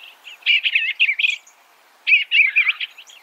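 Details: Two rapid phrases of soft, wavering warbles from an Eastern bluebird, each about a second long, separated by a brief silent gap.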